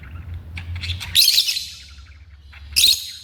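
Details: Pet African lovebirds giving two loud, harsh, broadband screeches about one and a half seconds apart, between softer clicks and chatter, over a low steady hum.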